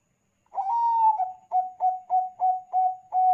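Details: Bangkok-type zebra dove in full song, used to prompt other doves to sing: one long wavering coo sliding slightly downward, then six short, evenly spaced coos about every third of a second, clear with no other sounds.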